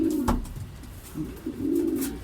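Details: Racing pigeons coo at a second truck training release in Guiguinto, Bulacan, where birds return in groups; two low, throaty rolling coos frame softer murmurs, with a brief click between them.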